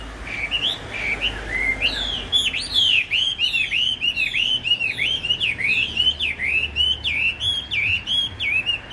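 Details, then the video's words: Hwamei just out of training, caged, yellow legs and bill, fanned tail: continuous fast song of looping downslurred whistles repeated several times a second, bright and loud throughout. "Tam hoàng bao giàn đuôi xòe, hàng đã có số má anh em ạ | Họat Họa Mi"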